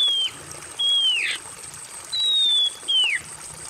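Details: Oriental magpie-robin on a therapy recording for stressed or silent magpie-robins, giving four clear, high whistles, each held briefly then slurring downward, in two pairs over a soft trickle of water.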